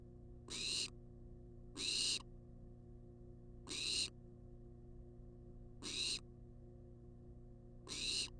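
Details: Wild barn owl at a monitored nest box on a live camera, demanding food: five harsh, breathy hissing screeches, each under half a second, repeated about every two seconds over a steady low electrical hum.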